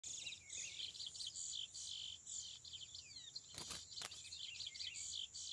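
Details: Chestnut-bellied seed finch singing a continuous, rapid, high-pitched warble of whistled and slurred notes, the phrases running almost unbroken, with two sharp clicks near the middle and a steady high background hiss.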